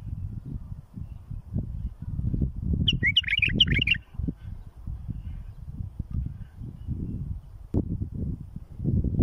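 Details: Bulbul song used for tutoring young birds and raising fledglings: one short burst of liquid, warbled notes lasting about a second, over a steady low rumble of background noise.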